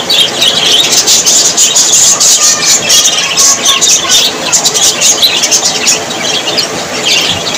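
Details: Budgerigars, described as very happy Australian parrots, in dense nonstop chatter: many overlapping high chirps, squeaks and warbled notes crowding together with no pauses, loud throughout.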